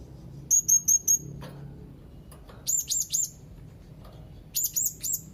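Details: Young blue-crowned hanging parrot calling rivals: three groups of four quick, high, thin chirps, the first group cleaner and whistled, the later ones buzzier, with a soft tap between.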